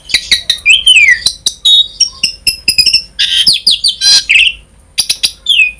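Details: Varied Asian pied starling song meant to prompt other starlings into song: quick high chirps, a bright descending whistle, buzzy warbled runs and a rasping burst near the end, with short pauses.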